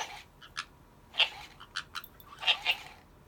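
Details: White-bellied caique, apparently a weak, unmated bird the owner hopes to find a mate for, giving short, harsh, high squawks and clicks at irregular intervals, the loudest a pair of raspy notes about a second apart.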